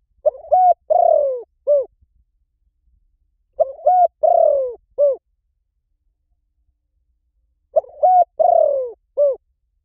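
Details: Decoy recording of a spotted dove: three identical cooing phrases about four seconds apart. Each has a stuttered opening, a clear coo, a long rough descending note and a short rounded close, with no other sound.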